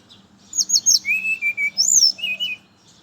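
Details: Loud morning song of a brown-chested jungle flycatcher, used to lure other birds of its kind: quick high twittering notes followed by clear wavering whistles and a rising bright flourish, with a faint low steady hum beneath.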